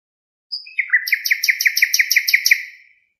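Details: Nightingale, locally called hassania, singing: a thin high whistle, then a fast series of about fifteen sharp, bright repeated notes with harsh upper layers. The phrase fades at the end against silence.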